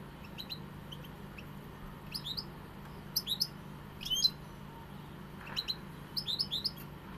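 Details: European goldfinch singing in short bursts of bright, high, liquid twittering notes separated by pauses of about a second, with a low continuous hum underneath.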